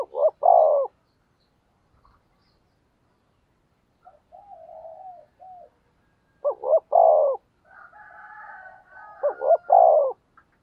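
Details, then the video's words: Spotted dove decoy calling to lure wild birds: loud phrases of two clipped notes and a long, falling coo, repeated about every three seconds, separated by soft, low murmuring coos. "Tiếng Chim Cu Mồi gáy gù đấu giọng may bổi, bổi nhà nghe nhanh"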